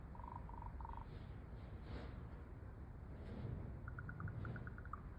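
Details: A raven calls from a nearby tree on an afternoon: three short hollow knocks, then a quick run of about ten higher, sharper clicks, over a steady low rumble like wind.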